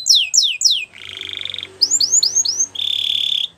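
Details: Canary song for teaching young canaries. Three downward-sweeping notes lead into a steady buzzy trill, then four rising-falling whistled slurs and a final rich rolling trill.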